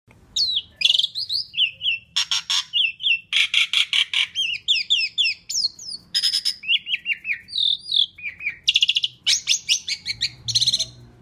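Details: Asian pied starling in full, loud song used as a lure for other birds: a dense, varied run of whistled notes, rising slurs and buzzy rattled bursts, delivered almost without pause.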